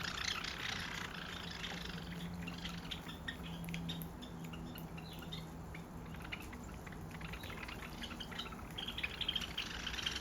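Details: Sparrows that come around a house's front and back yard every day for food chirp in a busy, overlapping chatter of short, bright notes, with a steady low hum and a soft watery rush underneath.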